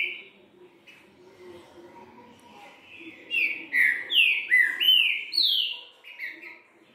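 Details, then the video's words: Green-winged saltator, a kept songbird, singing the three-note 'boi bitola' style: a loud run of rich whistled slurred notes, some rising and some falling, around mid-clip after a faint start, with low background hum. "TRINCA FERRO DANDO 3 NOTAS BOI BITOLA"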